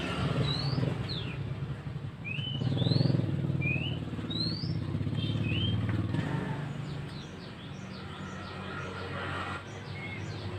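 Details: Loud lure call of a male scarlet-headed flowerpecker, used to attract birds for trapping in forest: scattered high, thin rising sweeps over several seconds, with a droning engine rumble underneath and softer distant chirps later.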